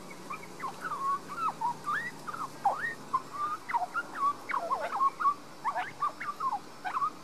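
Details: Garden-dwelling young Australian magpie in Queensland, Australia, filmed on a Panasonic Lumix DMC LX7; continuous lively warble of rapid, jerky, up-and-down whistled notes, roughly one per second or faster, with varied chortling phrases throughout.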